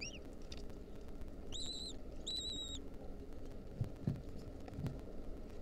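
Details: A few begging calls from wild lesser kestrel nestlings being fed a mouse by their mother, 2023. Three or four thin, slightly rising whining notes sound early on, then only faint scratching and low background noise.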